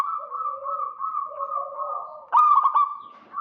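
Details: Local Indonesian zebra doves answering one another, male and female, used to lure a rival: steady rolling trill with a lower second voice, then a sudden loud stuttered coo.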